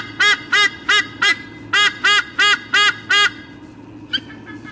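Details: Nest-cam eagle pair at Sydney Olympic Park, Australia, 3 August 2014, calling before a nest changeover. Nine loud, nasal, honking squawks come in quick, slightly uneven succession, then the calling stops and only faint background hum remains.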